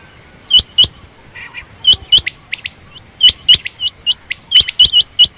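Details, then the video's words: A female quail gives rapid runs of thin, high, upturned chirps, often doubled, with a few softer lower notes mixed in and brief pauses between bursts. "common quail/Rain quail sound)chinga batair ki Awaz)Звук самки перепела)صدای بلدرچین)صوت السمان"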